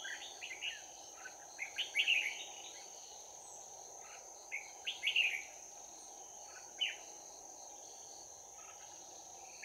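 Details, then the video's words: Red-whiskered bulbul at a trapping setup singing a 'bell voice' fighting song, 11 January 2019: short bright warbled phrases at high pitch, coming in loose bursts over several seconds, over a steady high insect whine and a low hiss. "Bẫy chào mào Giọng chuông đấu giáp lá cà"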